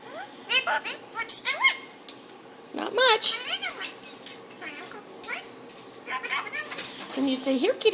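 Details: Caged pet Indian ringneck parakeet chatting at its owner and a caged bird beside it; rapid, bright, arching speech-like syllables and meow-like mimicry, with the owner talking affectionately and coaxing throughout.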